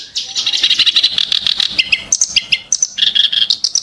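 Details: Kerak basi, the clamorous reed warbler, in harsh, sharp song: a grating, buzzy trill of fast high notes, then slurred whistles that fall and rise, ending in more rasping chatter.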